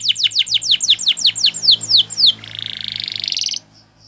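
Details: Canary singing a training song: about ten rapid descending whistled sweeps in a steady series, then a high buzzy rolling trill that ends abruptly, followed by two soft notes.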